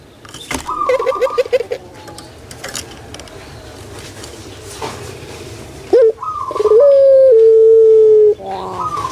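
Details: Captive large puter pelung spotted dove. Handling noise, rustling and faint stuttering coos come first, followed near the end by a clear rising note and then a steady, sustained booming hoot lasting about two seconds.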